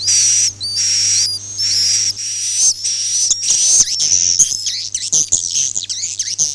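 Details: Swiftlet, Akau ngaji call style: hissing buzzy bursts at first, then breaking into quick twittering chirps and sliding high whistles, with a low hum in the background.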